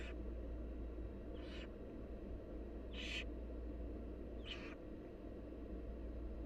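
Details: Wild barn owl nestlings, fed by their mother, give three to four short rasping hisses about one and a half seconds apart, the middle one loudest, over constant low hum.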